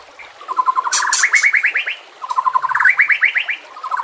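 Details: White-rumped shama song used as a lure: rapid rattling trills climb in pitch in two similar bursts, separated by a short pause, with a few sharp high chips.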